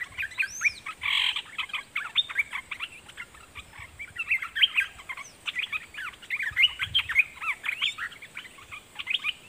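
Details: Red-whiskered bulbul decoy singing at wild birds: rapid, varied chirps and short warbled phrases of moderate loudness over a hissy background, with one high arched whistle near the start.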